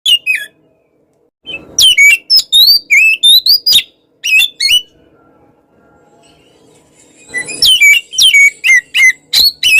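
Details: Kacer (Oriental magpie-robin) singing actively, said to provoke rival birds: bursts of loud, varied whistled notes sliding up and down, separated by short quiet pauses, with a faint low rustle during a gap.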